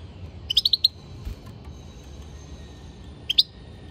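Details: European goldfinch: a fast run of five sharp, high chirps, then silence, and a final pair of bright notes near the end, with a soft low background hum.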